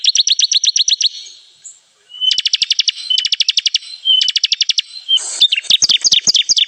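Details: Bar-winged prinia call used as a trapping lure: bursts of rapid, evenly spaced high chirps lasting about a second each, separated by short gaps, ending in a jumble of sharper, varied high notes.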